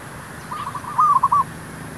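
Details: Zebra dove, merbuk, used in luring wild doves for trapping; one quick run of soft staccato coos building into a louder rolling phrase, then a spoken word.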